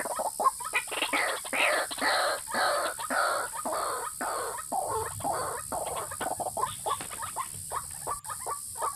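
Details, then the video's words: White-breasted waterhen lure call, used to attract both males and females: harsh, croaking notes repeated roughly twice a second in an uneven chattering run, over a steady high hiss. "pikat burung ruak ruak jitu memikat jantan dan betina"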